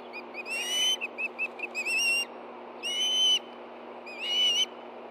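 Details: Two hungry Ospreys at a Montana nest in Hellgate Canyon, August 2013, mid-morning, excited as a fish is delivered: four loud, harmonic, wavering whistled screams, with a quick run of short chips between the first two.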